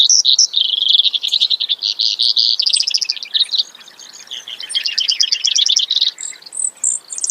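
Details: High, varied trills from a Brewer's sparrow: sharp chips, then a run of pulsed notes, a short quieter gap, another pulsed series, and high squeaky notes at the end.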